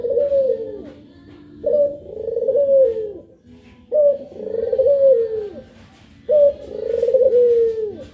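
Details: Puter pelung dove, one of two birds, giving a series of four long coos. Each opens with a short, higher bright note, then a drawn-out warbling tone that slides downward, spaced about two seconds apart, with faint background noise.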